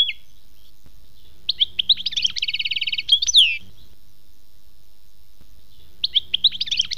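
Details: European goldfinch, song in the khmis melyana style, with lively tinkling twitters that run into a fast, even, buzzy trill and a sweeping slurred note, then silence before another twittering burst starts.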